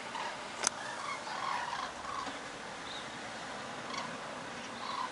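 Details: A flock of common cranes migrating south on 6 November 2013 gives overlapping rolling, trumpeting calls at irregular intervals. The flock turns from southwest to south over a house in Voerde, Lower Rhine, with a soft wind-like hiss and one sharp click.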